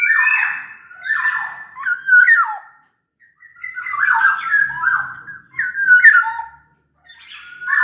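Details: Rich fluty phrases from a big-bodied Sumbawa black-naped oriole, sung to coax other orioles into song: four slurred, descending whistled phrases separated by short pauses, some ending in a sharp upturned note.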